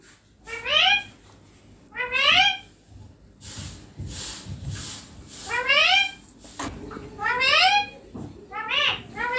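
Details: Green Indian ringneck parakeet, a pet, perched on a neem tree, giving loud harsh rising screeches with stacked overtones, in bursts roughly every one and a half to two seconds, with faint room noise between calls.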